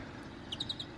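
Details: European Greenfinches singing in the morning in Brindisi, southeastern Italy, where they sing actively every morning; a quick run of four short, high chirping notes in even succession over a steady background hiss.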